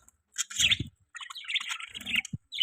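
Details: Pet budgerigars chirping: bursts of high, scratchy warbling notes broken by short pauses, with a few low thumps mixed in.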